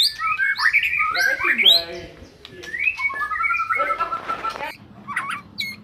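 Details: White-rumped shama singing to prompt a silent shama: mixed whistles, harsh buzzy notes and chatter, then a sustained wavering whistle near the end.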